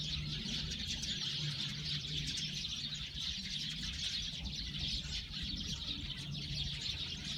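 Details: Eurasian tree sparrow flock giving constant overlapping chirps, bright and high, with a faint low hum throughout.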